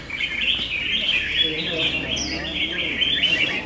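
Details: Several red-whiskered bulbuls in a singing battle, round six, pour out overlapping, chattering, warbled phrases without pause, with a brief higher whistled note cutting through midway.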